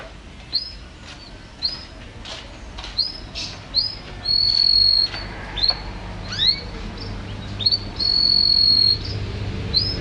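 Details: Caged canary song from Indonesia, offered for tutoring and prompting birds at home: scattered upswept whistled notes with two longer steady whistles, uneven pauses between phrases and a soft background hiss.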